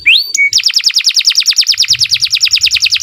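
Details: Canary (kenari) singing as a training recording for other birds: a rising whistle and a short flat note, then a fast steady trill of repeated downslurred notes, about three per second.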